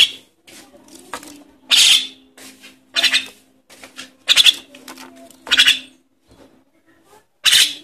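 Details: Young Javan myna calling as a lure for adults: a long series of harsh, hoarse rasps of varying loudness, roughly one every second, with quieter scratchy notes in between.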